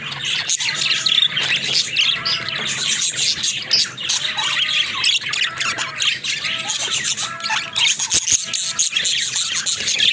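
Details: Budgerigars kept as pets squawk and warble loudly and without pause, rising and falling notes repeating over the busy chatter.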